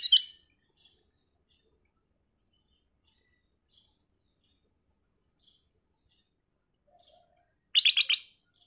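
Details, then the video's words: Black-crested bulbul, two short bursts of quick, ringing chattered notes, one at the start and one near the end, separated by long quiet with only faint soft chips between. "KUTILANG EMAS GACOR suara Kristal Jernih, Pancingan Kutilang Emas"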